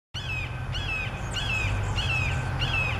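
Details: Red-shouldered hawk calling repeatedly. The clear, slurred, downward screams come about twice a second in a steady run of five or six, over a low rumble of background noise outdoors.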